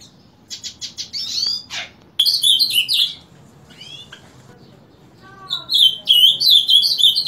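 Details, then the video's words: Ultramarine grosbeak, heard singing each morning from 7 am, delivering bursts of bright warbling notes; between phrases come rapid chips and a few lower slurred calls from other birds nearby. "Reina Mora Cantando Por Las Mañanas."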